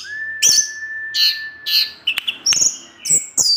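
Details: Orange-headed thrush singing in the evening in the teler style to provoke other thrushes: a long, steady, thin whistle under high buzzy bursts, then varied whistled notes and sharp high chips.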